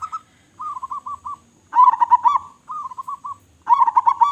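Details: Local zebra dove in full, strong-voiced song: short rolling cooing trills alternate with louder bubbling phrases, each about a second long, separated by brief pauses.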